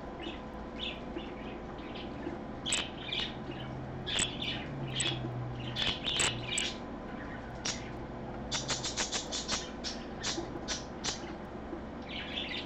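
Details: Parakeet recorded on an afternoon live stream, Sunday 24 August 2014 at 3 PM; scattered bright chirps and short squawks in irregular bursts, denser toward the end, over a steady low hum.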